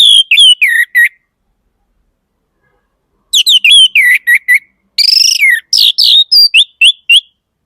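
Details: Orange-headed thrush singing loud, clear whistled phrases of rapid, varied notes, many sliding down or rising sharply. A short burst is followed by a pause of about two seconds, then a longer run of quick notes. No other sounds.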